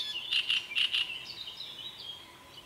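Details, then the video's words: Great reed warbler song: a few loud, harsh repeated notes near the start, then fainter scratchy chatter trailing off. "Drosselrohrsänger Gesang"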